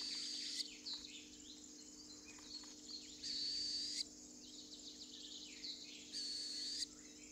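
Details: Northern hawk-owl nesting in Estonia, spring or summer 2013: harsh, broad hissing screeches of about two-thirds of a second, one every three seconds, with small birds twittering and chattering between them.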